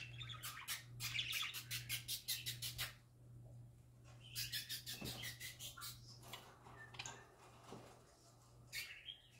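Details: Parakeets singing happily: a fast series of dry clicking chirps, roughly three per second, then a short lull, another clicking run and scattered warbled notes, with a low hum throughout.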